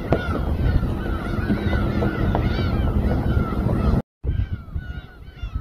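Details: Gulls calling around a boat at Samgilpo Port in Seosan, Korea; overlapping curved, nasal cries above a rough low rumble with some clicks and faint voices, then a short gap followed by thinner, quieter calls.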